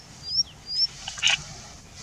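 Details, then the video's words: Indian bushlark on a rock at Jayamangali, India: two thin, high rising whistles, then short falling slurs and a brief burst of buzzy notes, over a quiet background hum. "Indian Bushlark Calling and Singing"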